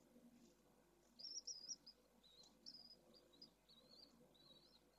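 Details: Pallid swift giving thin, buzzy, wavering high screams in a quick run of about eight notes over a soft low background hum, recorded on a camera on 4 June 2022.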